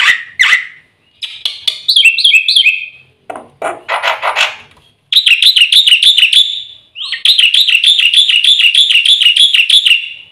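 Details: Black-winged myna training song with fill-in phrases. It mixes short whistled notes, rasping bursts and a brief wavering phrase, then long, rapid, high buzzy trills.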